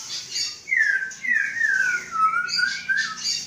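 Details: Caged Aceh-strain white-rumped shama male, hatched August 2012 and being readied for a breeding cage, sings slurred falling whistles mixed with harsh, scratchy high notes in short phrases.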